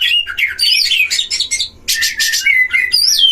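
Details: Caged Oriental magpie-robins duelling at a breeding cage, a lure meant to rouse other magpie-robins: loud varied whistled phrases with sliding notes mixed with harsh, buzzy bursts, a short pause near the middle.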